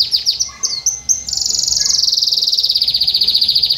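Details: Singing canary opening with a few quick high chirps, then breaking into a fast, steady rolling trill that holds its high pitch for over two seconds.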